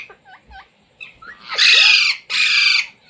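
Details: Indian Ringneck pet parrot learning to say words gives soft paired chirps and slurred whistles, then two long, loud, harsh bursts, with faint room noise.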